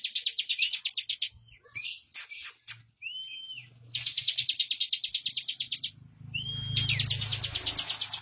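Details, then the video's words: Bar-winged prinia (ciblek), a chatty singer, gives fast, tightly packed runs of dry, high chipping notes, about three a second, broken by short rising whistles over a faint low hum; song. "Suara Burung CIBLEK Bocor Tipikal Ngunci lagu Speed Rapat"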